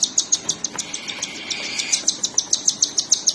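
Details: Baby cockatiels fed by their mother, producing a regular stream of sharp high chirps, around three per second, with a faint steady tone briefly underneath.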